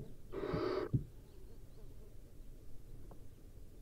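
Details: Wild barn owl during hunting practice gives one rasping, hissing screech lasting about half a second, followed by a short thump and quiet background.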